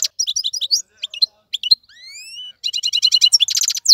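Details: Tamed wild-caught European goldfinch singing in a cage, chirpy twitters followed by a long, smoothly rising whistled note, then a fast, rattling series of buzzy repeated notes.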